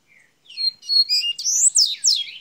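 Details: Double-collared seedeater of Minas Gerais, Brazil, starting its song: a loud, rapid run of bright high whistled slurs and sharp downward sweeps, close and clear against near silence.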